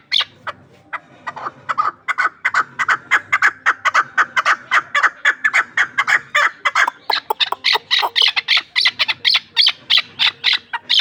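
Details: A dense, insistent chorus of harsh chuk-chuk notes from a hunting chukar of Ishkoshim, building in loudness and speed over eleven seconds.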